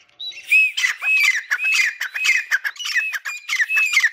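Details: Active pair of grey francolins in a cage giving a loud, harsh calling bout: ringing arched notes repeated in quick succession over dense scratchy overtones, with no other sounds intruding.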